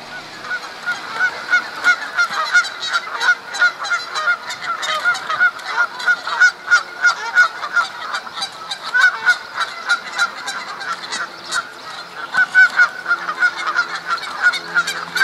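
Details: Canada geese in spring mating season at Duke Farms, New Jersey, April 2015, fighting over females; loud nasal honks repeated about three times a second from several birds, overlapping into a steady clamour.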